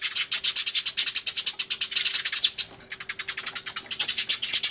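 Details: Eurasian tree sparrows making a great racket, 24 March 2013, with a turtledove among them, Everio recording: steady, rhythmic high chirps pulsing several times a second, nearly unbroken across the clip.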